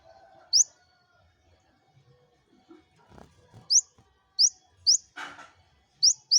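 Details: Scattered sharp, rising chips from a kept Olive-backed sunbird, about seven notes over six seconds, mixed with knocks, a burst of broadband noise and low background murmur; sung to prompt reluctant birds to sing.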